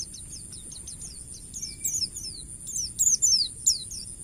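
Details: Wild forest white-eye in varied training-master song: soft, rapid chirping that builds into loud phrases of high, sharply falling notes, over a steady shrill hiss.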